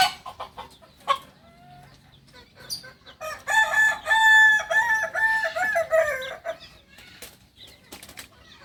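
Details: Singing Kukuak balenggek chicken from Solok in West Sumatra. Softer short calls come first, then a loud crow of about three seconds, chopped into many quick syllables that waver and step between pitch levels.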